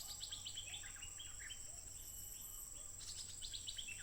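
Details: Wild stripe-throated bulbul, 15 June 2021, smartphone recording of nonstop singing: a chattering stream of rapid bubbly chirps, with a fresh burst near the end. A continuous high-pitched insect buzz and faint low hum persist.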